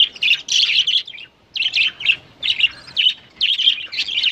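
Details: Budgerigar (Melopsittacus undulatus) newborn chick begging while being fed, giving rapid, raspy high chirps in bursts.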